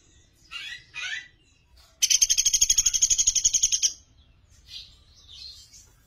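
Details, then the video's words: Sunda pygmy woodpecker in a master recording for songbird training, clear voice: two brief slurred high calls, then a fast, even trill of sharp high notes lasting nearly two seconds, with soft chirps trailing afterwards. "Masteran Pelatuk Beras Gacor Suara Jernih"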